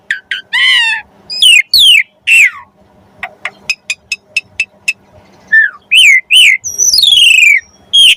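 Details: Asian pied starling 'gacor' song with varied phrases, used to draw other starlings into song: falling whistled sweeps, a low warble, a string of short sharp ticks, then long descending and rising whistles.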